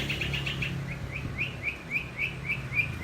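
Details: Lovebird-imitating song of a long-tailed shrike, a quick run of short chirps, rapid at first and then slightly spaced, each a brief rising-falling tweet at mid pitch, with a steady low rumble underneath.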